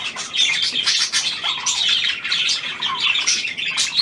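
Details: New hand-tame pied budgerigar, Australian type, 17 February 2023, warbling nonstop in a dense, harsh chatter of whistled squeaks and clicking notes.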